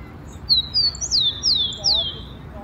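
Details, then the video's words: Rufous-collared sparrow singing wild in Brazil: a single phrase of about six thin, high whistles, the first steady and the rest sliding downward in quick succession, over soft background noise. "O CANTO DO TICO-TICO SEUVAJE"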